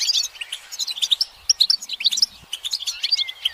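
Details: European goldfinches calling as a group to encourage a male to sing. Scattered sharp chirps and quick trills follow one another irregularly, with a thin, drawn-out whistle near the end.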